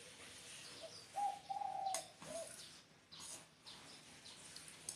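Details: Spotted dove giving a short series of soft, steady coo notes near the middle of the recording, the longest drawn out and level, then a brief final coo, with scattered clicks and rustling noises around it.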